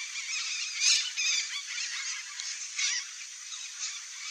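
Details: Wild red-bellied macaws (Orthopsittaca manilata) give harsh, screechy squawks in a dense overlapping chatter, with sharper cries standing out about once a second over a constant rasping din.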